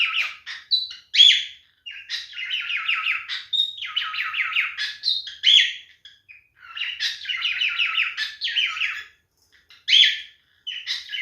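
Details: A male cockatiel sings in mating behaviour, phrases of fast stuttering chirps and clear whistles separated by short pauses, repeating in bursts over about eleven seconds.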